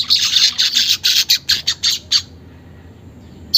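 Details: Weaver song aimed at getting caged birds to sing: about two seconds of rapid, pulsing, high sizzling chatter, then sudden quiet and one final sharp note.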